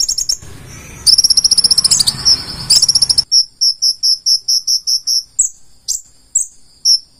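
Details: Purple-throated sunbird (konin) in full 'isian' song: a fast high trilled phrase, then a clean series of about a dozen separate, evenly spaced high chip notes, some sliding, in near silence.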